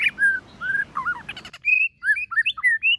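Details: White-rumped shama singing in a competition style with many voices: a run of clear slurred whistles, some wavering, then a crisp stretch of short rising and falling whistled notes after an abrupt cut.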